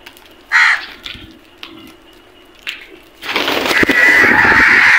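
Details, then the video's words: Crows squabbling over food: a single harsh caw, a few faint notes, then a sustained loud, rough, noisy commotion of overlapping grating calls filling the final seconds. "Crows fight for food at the end | Amazing crows sounds"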